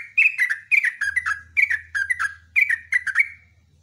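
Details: Sooty-headed bulbul in vigorous song, with loud, bubbly slurred whistles in rhythmic groups of three, repeated roughly every half second. A low droning hum sounds in the background.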